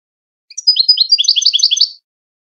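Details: European goldfinch song in the Widani style for coaching young goldfinches and hybrids toward contests: a high opening note, then a swift run of liquid twittering that builds into a rolling trill.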